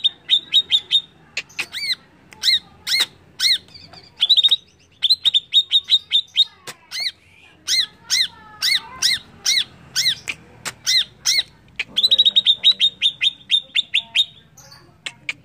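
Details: Greater green leafbird singing a lure song meant to provoke other birds into agitation: bursts of rapid, evenly repeated high whistled notes alternate with harsh arched chirps in a lively, near-continuous sequence.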